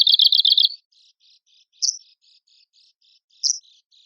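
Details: Arctic warbler song recorded as a training master for songbird contests: a quick, dry trill of about seven even high notes, followed by soft scattered ticks and two brighter, sharper chirps about a second and a half apart.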